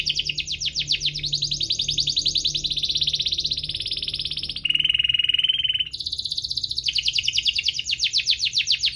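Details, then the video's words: Canary in full 'gacor' rolling song, used as a lure for canaries slow to sing: rapid high buzzy trills changing pace, a clear steady whistled stretch in the middle, then fast pulsed trills again. "Kenari Gacor cuit-cuit ngerol, pancingan untuk burung kenari malas bunyi"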